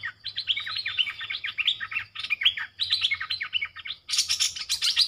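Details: Streak-eared bulbuls, a lure bird and wild birds answering with sub-dok and rik calls, pour out dense overlapping chatter of quick slurred notes, nearly continuous, louder and harsher toward the end, with a low steady hum beneath.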